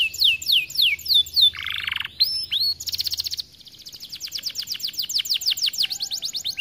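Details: Gacor canary song used to provoke other canaries: descending whistled sweeps, a brief harsh buzzy burst, short rising notes, then a long rapid trill of repeated high notes.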